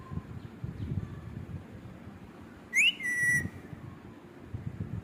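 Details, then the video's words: A rose-ringed (ringneck) parakeet, a talking pet parrot, gives a single clear whistle that swoops up and then holds a level note for about half a second, over low indoor rumble. "talking parrot"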